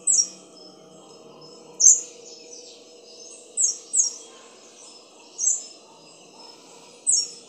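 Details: Black-crowned palm-tanager of Hispaniola's Dominican Republic and Haiti repeating sharp, very high thin notes, singly or in quick pairs, every one to two seconds, some followed by faint softer trailing notes, over low background hum.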